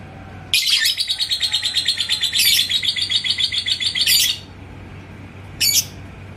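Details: An Indonesian yellow lovebird, stirred by a rival's singing, delivers a ngekek: a dense high-pitched rattling trill of rapid pulses for about three and a half seconds, followed by silence and one short chirp.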